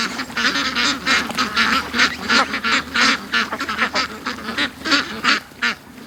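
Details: Domestic ducks rushing out of their pen to a creek in the morning after being kept in an extra hour, a flock of about fifty; loud harsh quacks overlapping in rapid bursts, roughly three per second, with brief pauses between clusters.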